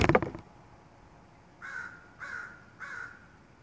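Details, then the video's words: Northwestern crow in the morning, 29 May 2021, around 6:28: three hoarse caws about half a second apart after a brief thump, over steady low background hum. "morning crows"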